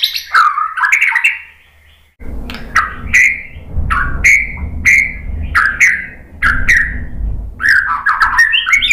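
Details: White-rumped shama song used as a lure to provoke other birds into answering. Loud clear whistled notes, some sliding up and others falling, arrive in bursts with short pauses between them. A low rumbling background hum runs underneath.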